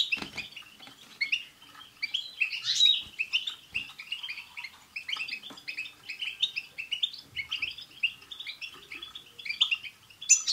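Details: Long stretch of European goldfinch group song used to get a pet singing; unbroken twittering and liquid trills, with a harsh buzzy note near the third second.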